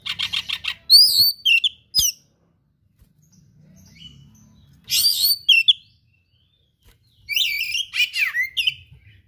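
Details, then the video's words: Oriental magpie-robin song in bursts: rapid chattering trills, sharp whistled slurred notes and mimic-like phrases separated by pauses of a few seconds, with a single loud click and faint background murmur. "KACER GACOR SPECIAL FULL ISIAN MATERI LANGKA"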